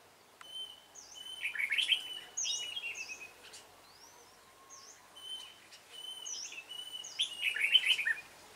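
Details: Trapping of red-whiskered bulbuls on 28 February 2017 using a decoy to call in wild birds: two bursts of bright, tumbling warbled notes, with repeated high, sharp chirps from other birds around them.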